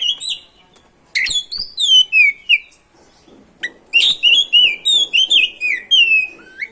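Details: Oriental magpie-robin in lively, continuous ngerol song, played as a lure to provoke other magpie-robins; clear whistled phrases, many sliding downward, in two bursts separated by a pause, then a rapid series of short notes about three per second.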